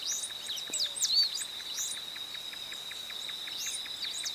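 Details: Cinereous Warbling Finch (Microspingus cinereus) recorded in Ouro Preto, Minas Gerais, Brazil: quick, high, thin chirps and slurred notes in short bursts over a steady, shrill insect drone with a pulsing beat.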